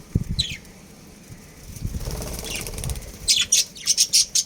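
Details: Budgerigars of a breeding pair at home, scattered soft chirps and low thumps, then a run of rapid, sharp high chirps repeated at a quickening pace.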